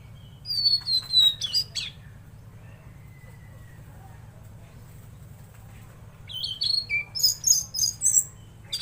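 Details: Tledekan laut giving lively song: bright descending whistles and quick high notes at first, a long silent gap, then a burst of rapid high chirps and short whistles at the end, with a steady low hum underneath.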